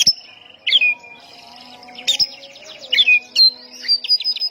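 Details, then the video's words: Oriental magpie-robin song played to provoke rival birds: long sustained whistles alternate with downward-sliding notes and short trilled, buzzy phrases, fairly spaced, with a faint constant hum behind. "ampuh pancingan 100 persen tembakan burung Kacer gacor ini bisa mendobrak emosi Kacer seketika"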